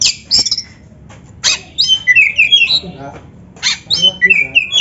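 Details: Oriental magpie-robin, or kacer, singing a training song for birds that sing little: harsh scratchy bursts followed by quick slurred whistles falling and rising, in short clustered phrases separated by brief silences.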